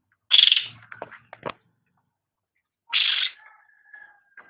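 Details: Cucak rante, a songbird recorded for training pet birds: a harsh buzzy burst with clicks, a pause, then a second rasping note trailing into a thin steady whistle.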